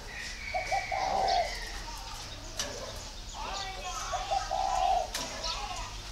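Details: Spotted dove in northern Vietnam cooing twice, each phrase a few quick broken notes running into a drawn-out mellow coo, with a person talking and a higher whistled sound in the background.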